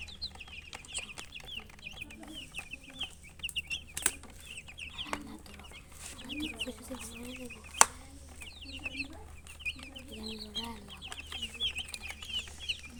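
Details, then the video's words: Chicks chirping with high, short upswept peeps in continuous overlapping series, lower hen clucks underneath, scattered clicks and knocks. "silly chicken chirping sounds"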